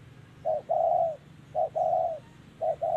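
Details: Spotted dove cooing in 'thổ'-style voice while being trapped with a decoy in Vietnam, 2023. Three low, hollow phrases arrive about once a second, each a short clipped note followed by a longer steady coo. A soft low hum sits underneath.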